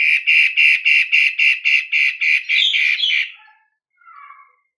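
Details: Long-tailed shrike of the cendet matahari type, a captive songbird whose song serves as a lure to set other birds singing: harsh, buzzy notes repeated about three times a second, ending with a brief softer chatter.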